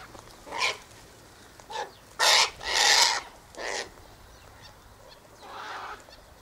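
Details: Harsh rasping squawks from a sulphur-crested cockatoo eating a scattered mix of sunflower seeds, wheat and birdseed near an eastern gate; softer single calls lead into two loud screeches and a trailing fainter cry.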